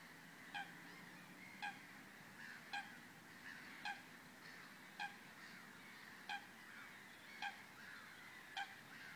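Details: A black-winged stilt at Vrbenské ponds, České Budějovice, on 11 June 2016, gives short, nasal yelping notes, about one a second, eight in a steady series over a soft background hiss.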